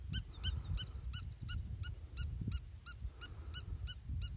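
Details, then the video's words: Spur-winged lapwing calling a steady run of short, sharp, metallic notes, about three per second, over low rumbling wind. "Vanellus spinosus"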